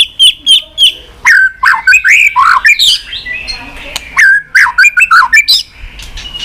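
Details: White-rumped shama in continuous 'tạch' singing, with tail-flicking: three clipped repeated notes open, followed by a lively string of slurred whistles, sharp clicks and warbled phrases with brief gaps.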